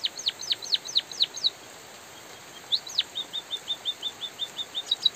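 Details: In light rain, a white-headed munia gives a string of steeply descending slurred notes, pauses naturally, then repeats two slurs and settles into an even train of short, high chirps over gentle rain noise.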